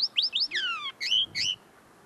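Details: Common linnet singing right in front of the listener, its song not yet fully polished: a string of rising chirps, a long slurred downward whistle, then two twangy buzzing phrases.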